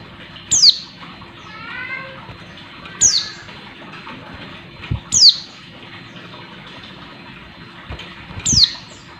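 A female Oriental white-eye gives a thin, high, sharply falling call every two to three seconds, with soft twittering between and light knocks in the background.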